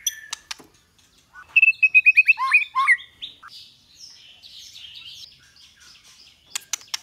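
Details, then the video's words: White-rumped shama song in the 'kéo thuốc lào' (water-pipe pulling) and 'giọng dây' styles, used to train shamas to sing. A fast run of about eight loud, downward-sweeping whistles leads into soft, high twittering warbles, with sharp clicks at the start and end. "Luyện chòe lửa hót hay mỗi ngày ❣ kéo thuốc lào ❣ hót giọng dây ❣ murai batu,บินหลาดง"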